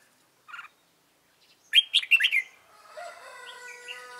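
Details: Red-whiskered bulbul, a stubborn white-cheeked bird, being trapped on 26 June 2018: one faint note near the start, then a quick burst of four or five bright chirpy whistled notes, followed by a steady droning harmonic tone to the end.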